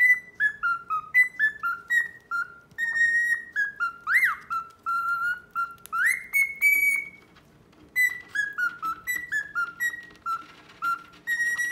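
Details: Pet male cockatiel performing a love display toward an indifferent female: runs of loud whistled descending notes, two swooping rising squawks, a sustained steady whistle, then more stepped whistles after a short pause; low hum underneath.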